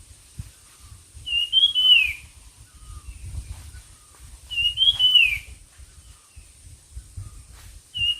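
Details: Competitive bird song: a whistled, wavering phrase falling at its close, repeated about every three seconds, with low rumbling noise and a steady high hum throughout.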